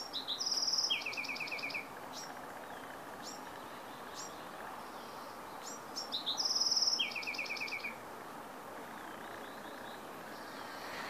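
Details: Bewick's wren in Carmel Valley, San Diego, on 15 April 2019, giving two songs about six seconds apart, each high opening notes, a fast buzzy trill and a tumbling descending series, with faint high chips from other birds between.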